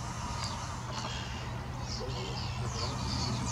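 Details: Common starling flock of at least 1,000 birds giving a dense, continuous wash of thin high whistles and chirps over a steady low hum and rumble.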